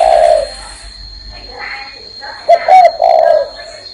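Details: Spotted dove on a hand: the end of a low coo opens, then a man talks quietly. A full three-part coo phrase follows near the end, short notes leading into a long hoarse low note.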